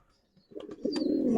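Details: After near silence, a Giribaz pigeon begins a steady, throaty rolling coo that grows louder to the end, preceded by a few soft taps.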